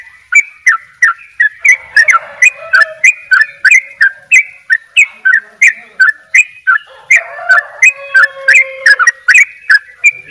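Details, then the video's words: Energetic ropel song of a Bali sooty-headed bulbul: a fast, sustained chain of clipped, bending notes near three per second for ten seconds, with softer low whistled phrases mixed in partway through. "trycuk bali dobel ropell gacor"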